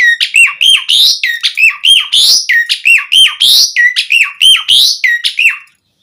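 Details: A pied starling pours out a fast, rhythmic string of bright chirps and falling whistled notes, repeating a similar motif for about six seconds before stopping abruptly. The recording is meant to encourage captive birds to sing.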